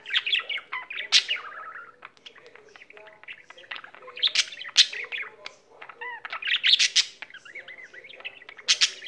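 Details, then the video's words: Domestic budgerigar singing a long rambling warble: scratchy chatter, clicks and a few curved whistled notes, loud bursts alternating with softer rapid ticking. "il cocorito canterino"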